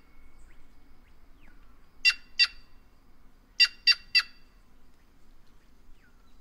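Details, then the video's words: Harsh, raspy calls of the white-naped jay (Cyanocorax cyanopogon): a pair of notes, then a rapid run of three, with faint soft chirps before and after. "Canto da Gralha Cancã Cyanocorax Cyanopogon"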